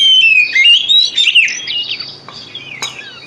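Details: White-rumped shama song played as a lure to prompt other shamas to sing: rich whistled phrases sliding up and down, loud in the first second and a half, then quieter warbling with a sharp click near the end.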